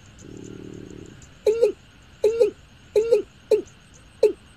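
Watercock giving five hollow, mid-pitched 'kum' notes, each with a slight bend, about one every second, after a brief low droning hum.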